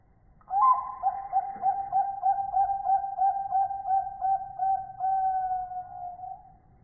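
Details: Zebra dove of the Bangkok type, a kept songbird, cooing a melodious, specially rhythmic song: after a brief opening note, a steady mid-pitched tone breaks into quick, even pulses, about three per second, over roughly six seconds. Low background hum.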